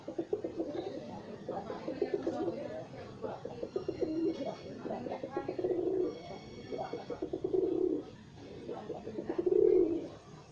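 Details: Kept pigeons cooing in a small room: low, rumbling coos swell in drawn-out phrases about every two seconds, the last one loudest, amid fluttering, scratching and faint higher chirps.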